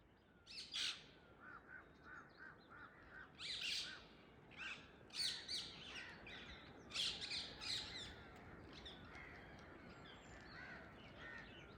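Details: Wild, free-flying Indian ringneck parakeets perched in a tree in the early morning: harsh, shrill squawks in uneven bursts, several overlapping at times, over a steady hiss of outdoor background noise.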